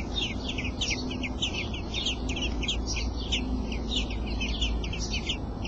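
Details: Eight-day-old robin nestlings calling as the father brings food: continuous rapid high-pitched cheeps, many short slurred notes overlapping, with a constant low droning hum underneath.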